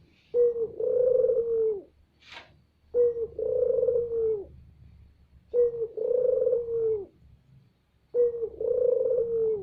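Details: Barbary dove giving a loud lure call to attract other doves, four evenly spaced phrases about every two and a half seconds, each a clipped note followed by a long rolling coo; one brief click between.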